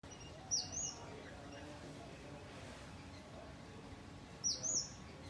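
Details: A sunbird feeding on nectar gives two brief, high, thin twittering bursts about four seconds apart over a steady background hiss.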